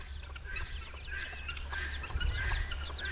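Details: Week-old chicks following their mother hen, giving rapid high thin peeps that sweep downward, overlapping continuously from several birds, over a low steady rumble.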